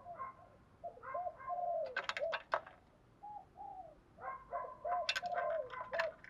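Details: Spotted dove lure song alternating 'thúc gù' and 'gáy gọi' coo styles: two runs of mellow, low cooing phrases, each a few short notes then a longer wavering coo, with sharp high chirps from other small birds between them.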